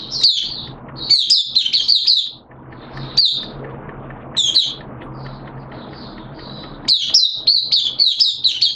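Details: Caged Mata Puteh (Oriental white-eye) starting to sing, 11 September 2022, wet and erratic weather; short runs of thin, high chirping notes separated by pauses of noisy background, ending in a lively warbled burst.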